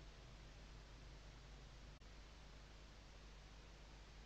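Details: Quiet, even hiss with a low hum and one sharp click near the middle.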